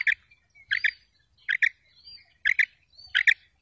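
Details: A female quail call used to lure quails for trapping: paired, clipped chip notes repeated roughly every three-quarters of a second. Soft, sliding, whistled notes fill the gaps.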